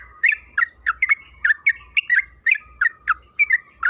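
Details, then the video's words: Yellow-vented bulbul (trucukan kebo) singing energetically in long runs, used as a lure to make other bulbuls sing: short bubbly chattering notes repeated about three per second, over a steady faint tone and low hum. "Pancingan trucukan agar bunyi‼️Suara burung TRUCUKAN KEBO Gacor ropel Panjang"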